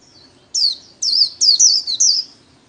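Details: White-eye kept for líu song training gives a short phrase of four or five high, twisting slurred notes, the last three nearly joined.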